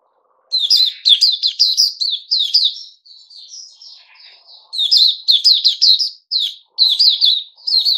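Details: Captive bulbul pouring out loud, rapid strings of sharp chirps and whistled warbles, with a quieter, smoother warbling passage in the middle before the fast notes resume.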